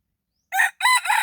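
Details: Morning crow of a red junglefowl used for decoy luring: two loud, harsh segments after a short pause, the second long and buzzy, cut off before the phrase finishes. No other sounds.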